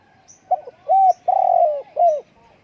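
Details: Spotted dove giving one cooing phrase: a short stuttering note, then a clear hooting coo, a long drawn-out wavering coo and a final falling coo, all low and mellow over a quiet background.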